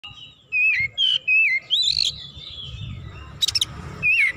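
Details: Oriental magpie-robin singing actively, agitated and heated up, unloading its full repertoire: clear slurred whistles falling and rising around mid-high pitch, a warbled phrase, then sharp buzzy clicks and one more descending whistle.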